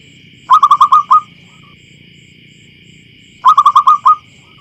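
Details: Local wild zebra dove from a field, its call used to attract others: two matching bursts of about six quick, clear, staccato cooing notes, about three seconds apart, with a soft continuous tonal hum in the background.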